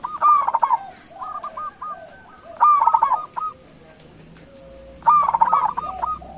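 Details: Zebra dove of a local strain giving its lure call so other doves reply: three phrases, each a strong opening coo then a rolling series of short clipped notes, roughly every two and a half seconds, with fainter lower coos between.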